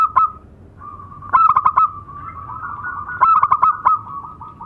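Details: Local zebra doves, male and female, sing as tutor birds. A held, steady coo is broken by two quick bursts of about four clipped, stuttering notes, with another short note at the start.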